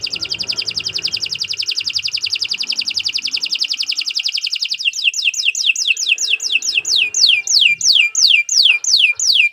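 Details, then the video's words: Canary in long continuous song recorded as a tutor for other birds: a fast, even high trill for several seconds, shifting into loud repeated downward-sweeping whistles about three per second. "Kicau Burung Kenari 164 II LUAR BIASA GACOR PANJANG Cocok untuk Masteran"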